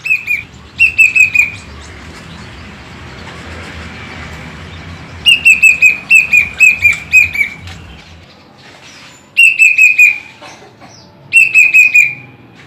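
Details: Plaintive cuckoo in a cage delivering bursts of three to five plaintive whistles, each burst falling slightly in pitch. Several seconds of near-quiet separate the bursts, with a soft low background rumble.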